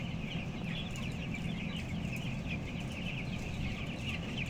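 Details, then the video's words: Closed-house broiler chickens, 14 days old at 525 grams, 11,000 birds on the upper floor; a busy stream of short, high, downslurred peeps sits above strong low rumbling noise. "Ayam Broiler umur 14 hari"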